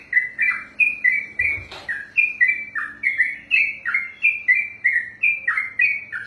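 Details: Trucukan, the yellow-vented bulbul, delivering extended ropelan singing: a rapid unbroken series of bright whistled two-part notes, about three each second, with one brief low thump partway through.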